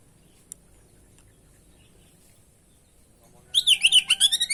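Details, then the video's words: Magpie-robin song used as a lure to set other birds singing. After a long near-silence with one faint tick, a quick, lively burst of whistled and chattering notes breaks out for about a second. "masteran pancingan burung kacer gacor isian bongkar"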